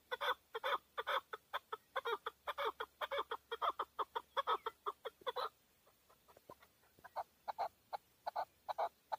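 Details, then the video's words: Male hunting chukar partridge in Tajikistan, 2020, with a long fast run of rough chuck notes, a brief lull of soft clicks, then the clucking resumes at the same pace. "Нар Кабки Шикори (Садои кабки Шикори) 2020. Каменная Куропатка (Кеклик) в Таджикистане 2020. KEKLIK"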